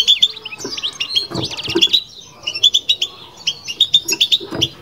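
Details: Kept European goldfinch delivering batbata twitter: crisp, bell-like chirps in clusters, a fast rattle early on, a brief pause, then more evenly spaced bright notes.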